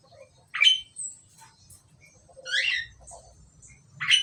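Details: Two Asian pied starlings give scattered squawks: a sharp note, a longer harsh descending call, and another sharp note, with soft chips between.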